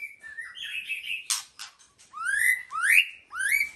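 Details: White-rumped shama singing: a long flat whistle and a warbled phrase, a burst of harsh broadband rasps, then three loud upslurred whistles, each sweeping up and ending in a bright ringing note.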